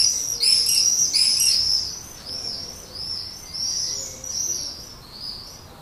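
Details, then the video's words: Common swift calling from a brown terracotta nest pot beneath a terrace roof, Leuven, 7 May 2016, evening, luring a partner: a strong shrill trilling scream at first, then a steady series of thinner, high buzzy screeches about four per second. "Gierzwaluw lokt partner in bruine terracottapot"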